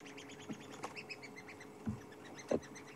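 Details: At sunset on 11 April 2016 in Sabi Sand, a group of Red-billed Buffalo Weavers chatters overhead in quick, overlapping high chirps and squeaky notes, with a few dull low thumps from below.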